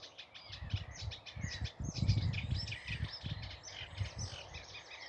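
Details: A Eurasian reed warbler sings on a grey early morning near water: a steady, chattering song of scratchy, repeated notes running on and on without pause, like a clockwork toy, over a low rumble of wind.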